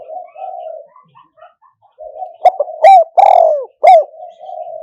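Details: Spotted dove kept as a decoy for trapping wild doves with a traditional enclosure trap. It gives soft murmured low coos, then a burst of loud, hoarse, accented coos with downward-curving notes, all in a quiet setting.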